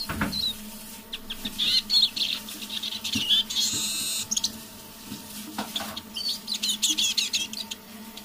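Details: Eurasian siskin, a caged decoy bird, sings under its breath in the evening: busy high twittering, a sustained wheezy buzz in the middle, then more rapid chirps, with clicks and a low hum.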